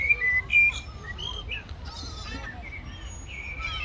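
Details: Competing for food, seagulls utter harsh, nasal squeals and short rasping notes in quick succession, several birds overlapping against low background noise.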